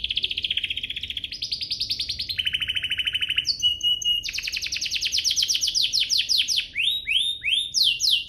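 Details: Canary song for drawing other canaries into song: long fast trills that step between pitches, a whistled trill, then rapid sweeping notes, over a light background hiss.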